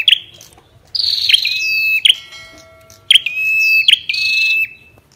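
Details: Loud Ashy tailorbird song: sharp accented notes followed by level, ringing whistles, plus a descending buzzy trill, in repeated phrases about every second.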